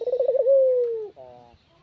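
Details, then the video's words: Spotted dove calling in the afternoon, used as a lure to attract rivals. A low, quavering coo becomes a long, steady note that slowly falls, followed by a short, harsher closing note. "Suara Burung Puter di sore hari super gacor cocok buat pancingan Mikat lawan langsung datang"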